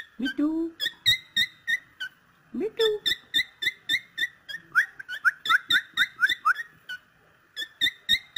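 A cockatiel gives rapid, repeated whistled notes near the same pitch, with brief chattering squeaks between.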